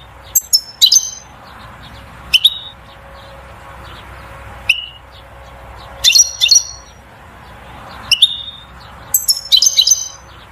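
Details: European goldfinch 'batbata' song to stimulate the female to mate and build a nest, heard as scattered bright chirps and short twittered clusters spaced a few seconds apart.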